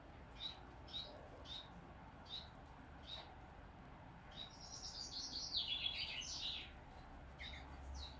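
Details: Nineteen-day-old hybrid finch chick, zebra finch crossed with owl finch, during hand feeding: thin high peeps spaced about half a second apart, building into a louder harsh begging burst near the end.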